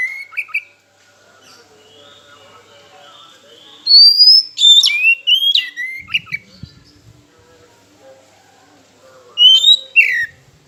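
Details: Song of an oriental magpie-robin played to draw rival birds into singing: two bursts of loud, sweeping whistles and quick jumps in pitch, separated by a long quiet stretch with faint twittering in the background.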